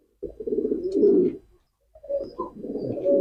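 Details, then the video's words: Pigeon cooing in two bouts: low, rolling, throaty coos run for over a second, then a short pause before a second purring bout resumes. Indoor setting, no other clear sounds. "pigeon call and sound effect,কবুতরের ডাক।"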